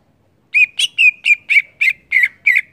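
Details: Cucak ijo (greater green leafbird) singing in the ngeplong style: a steady string of eight loud, slightly buzzy whistles, each about a fifth of a second long and evenly spaced, holding a fairly level pitch.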